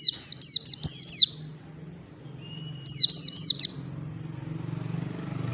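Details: Oriental white-eye learning the ngalas song style, with rapid bursts of sharp, high descending chirps in two phrases separated by a thin whistled note, over low steady background hum.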